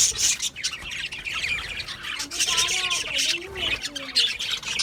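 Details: Budgerigars chattering with high squawks and chirps, while a lower, wavering voice-like sound runs underneath in the middle.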